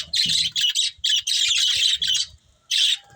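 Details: Budgerigar chirps come in loud, rasping, high bursts of about half a second each, separated by brief gaps, with a long silence before a final burst.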